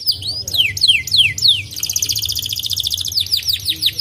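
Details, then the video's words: A white canary sings, meant to excite listening canaries into song: four bright downslurred whistles, then a dense rapid pulsing trill, closing with quick falling notes, over a quiet low background hum. "Mitos Kenari Putih Bikin Burung kenari langsung emosi"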